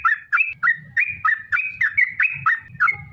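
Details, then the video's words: Long rapid song of the sooty-headed bulbul, meant to make other bulbuls answer: evenly spaced whistled phrases, each opening with a low dip that climbs to a steady note, about three per second, over low muffled thuds. "trucukan gacor TARUNG ROPEL PANJANG"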